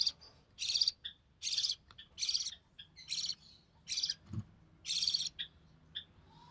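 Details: Budgerigar chick, recessive pied, born early June 2020, fed by its mother; rhythmic hoarse rasping bursts with brief twittery notes between them and a single low knock.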